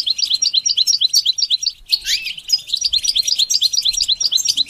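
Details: Goldfinch used to teach singing, repeating quick sharp chirps about twice a second, interrupted midway by a harsh buzzy downslurred note before the chirping series continues.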